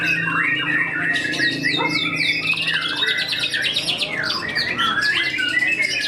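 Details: White-rumped shama singing at a song contest, a tame-natured contest bird: a rich run of varied whistles, rapid trills and squawky imitative phrases, shifting pitch quickly throughout, over a background of other birds and murmuring crowd.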